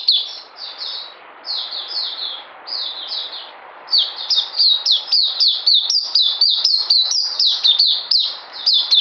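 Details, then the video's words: Oriental white-eye (puteh) delivering mousey-style song, 9 June 2019: paired high falling whistles at first, then a brisk continuous chain of piercing downslurred notes near four per second. "Puteh Mousey"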